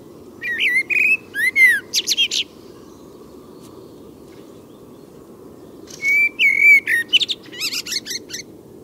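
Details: Common Blackbird singing at night, after midnight, gives two phrases a few seconds apart. Each is a mellow fluted whistle ending in squeaky high twitters, over a steady low rumble.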